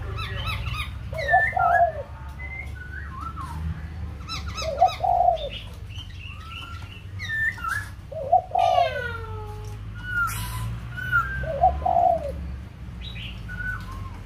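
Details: White-crested laughingthrush from Kbang, Vietnam, singing: loud, slurred whistled phrases that rise and fall, broken by short rich warbles, repeated about every three to four seconds, with low background hum throughout.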